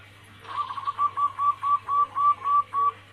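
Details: Female zebra dove of Bangkok crossing cemani stock calling the male: a quieter series of about ten short, even, whistled notes in quick regular rhythm, over a noticeable low hum and background hiss.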